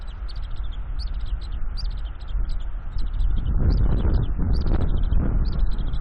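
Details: Bald eagle eaglet on a nest-cam nest in northeast Florida, 3 April 2021, windy day, chittering at its father after he finished eating a fish: rapid bursts of thin, high chips in loose clusters over heavy low wind rumble.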